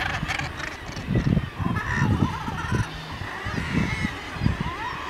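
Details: Northern gannets on the cliffs of Helgoland give a chorus of harsh, grating calls. Many birds overlap against a steady rumble of wind and surf. A few rising, nasal notes stand out among the colony.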